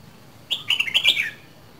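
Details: A short, bright burst of song from a two-season Red-whiskered bulbul of Dak Lak: rapid whistled notes run together into a single warbling phrase that wavers up and down, then drops away at the end, with a quiet background.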